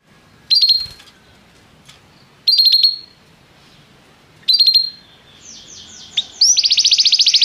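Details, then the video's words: A restless canary singing: three short bursts of high chirping notes spaced about two seconds apart over quiet background hiss, then a fast, bright, buzzy trill starts near the end. "o canário cantava inquieto"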